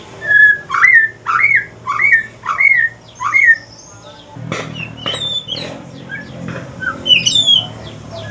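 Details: An Aceh white-rumped shama male in evening song, moving toward the pastol type: five bright looping upslurred whistles in a row, then a pause, a burst of noise and scattered higher chirps and trills.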